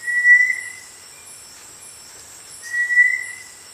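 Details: Understory tinamou of tropical lowland rainforest, small, dark and brownish gray, gives two short level whistles about 2.5 seconds apart against a soft background hiss.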